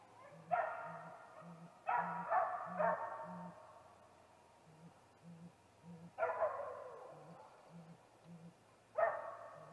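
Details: Male great gray owl calling at a snag tree nest at 8:45 pm on 21 April 2019, before a nest visit. A soft, deep hoot repeats about every half second, overlaid by four loud, harsh, wavering bursts.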